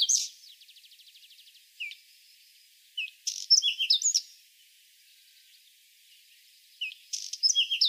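A whinchat sings short, scratchy phrases of high chirps and rattles, broken by pauses, with a rapid buzzy trill near the start.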